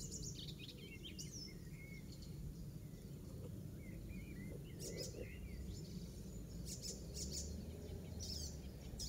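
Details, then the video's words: An Icterine Warbler sings in a garden in Pieterburen, Netherlands, on 17 May 2022. Its varied, chattering run of high whistles, squeaky notes and short piping phrases mimics an Oystercatcher, over steady low wind rumble. "Icterine Warbler song includes Oystercatcher mimicry"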